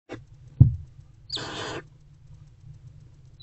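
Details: Barn owl mother with her older owlet bonding in a nest box before dawn, 20 February 2024, 4:41–4:46 am; a single harsh, broadband hissing burst of about half a second, framed by soft knocks and scuffles in the box.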